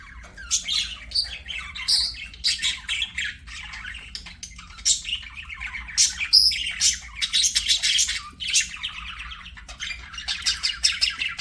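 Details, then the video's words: Several budgies sing while playing, a long, lively stream of rapid scratchy chirps, squeaks and squawks with brief pauses, busy and overlapping throughout. "BUDGIES SINGING PLAYING"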